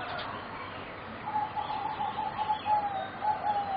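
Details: Young singing zebra doves bred for competition, four birds aged about three and a half to four months, kept captive; after a muffled start, a soft, steady mid-pitched cooing runs on in a long, slightly wavering line over a hissy background.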